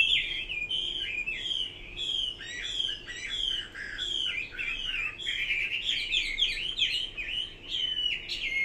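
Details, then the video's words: Chinese hwamei singing continuously: loud, melodious whistled phrases with slurred ups and downs, short repeated motifs and rapid notes, one strong voice dominating the recording. "Kicau burung Hua Mei."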